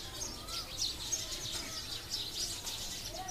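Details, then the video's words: Sparrow flock crowded into a mulberry tree close to houses: rapid, tangled high chirping from many birds at once, short bright notes running together continuously, with a low background hum. "Thousands Of Sparrow 🐦 On My Mulberry Tree 🌲."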